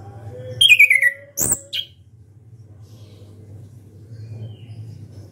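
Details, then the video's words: An orange-headed thrush sings loudly with beak open, giving a clear descending whistled slur, then a sharp click and a short high note, against a low steady hum. "ANIS KEMBANG SUARA KERAS BUKA PARUH"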